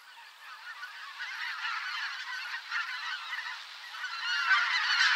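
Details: Thousands of migrating geese, a mixed flock of greater white-fronted, bean, barnacle and pink-footed geese, in a spring swamp: a dense, overlapping chorus of honks, quieter at first and swelling louder toward the end.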